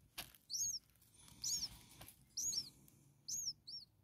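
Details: Six common starling nestlings a few days old begging: single high, down-curving peeps about once a second over a steady background hiss, with a short click at the start.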